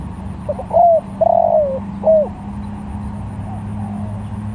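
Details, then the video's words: Spotted dove calling to other doves with one full phrase of short soft notes, a slurred coo, a long descending coo and a brief final coo, followed by faint distant coos over a constant low hum. "Tekukur Sirambo Malemanggil Tekukur||Suara Bagus"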